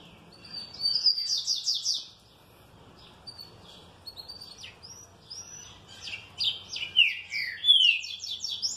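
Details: Happy, well-kept trinca-ferro, the green-winged saltator, in full song: a rapid series of falling chirps, a brief lull, then varied whistled phrases with prominent downward slurs repeated toward the close.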